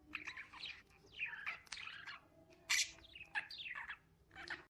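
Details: Busy lovebird twittering: a dense, continuous run of rising and falling chirps and trills with a loud, sharp squeak midway, over a faint background hiss.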